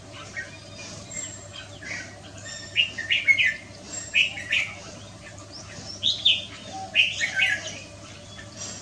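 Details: Red-whiskered bulbul singing on a Wednesday afternoon, 6 December 2023: bright, chirpy phrases of quick slurred notes in bursts, with a steady low hum underneath.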